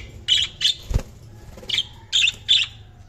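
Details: Budgies giving short buzzy chirps in separated bursts, about five over three seconds, with one soft thump between them and a low hum beneath.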